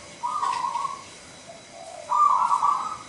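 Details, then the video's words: Contest-singing local zebra dove delivers two long, loud cooing trills with a quieter, lower coo between them. "Perkutut Gacor Manggung Nggayer Lokal Alam suara besar"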